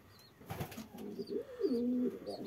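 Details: Frillback pigeon giving a low, soft coo that rises and then holds steady for about half a second, after some rustling, with faint high chirps from other birds in the background.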